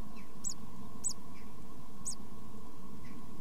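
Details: Tit nestlings under two weeks old in a nest box, three brief, very high squeaks with softer lower chirps between them, over a steady hum.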